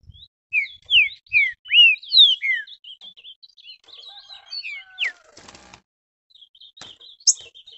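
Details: Green-winged saltator roused by a rival bird pours out clear, downward-slurred whistles in a fast burst, then softer high twittering, a brief rustle of wings and one sharp high note near the end.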